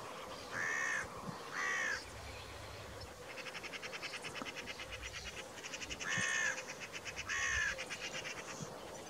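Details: Carrion crow giving harsh, nasal caws in two pairs, the pairs about five seconds apart, over a steady background hum with faint buzzy chirping from other creatures.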